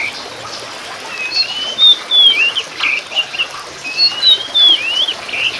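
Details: Oriental magpie-robin of the Sumatran form, Copsychus saularis musicus, singing a varied phrase of clear rising and falling whistles and short twisted notes, over a steady hiss.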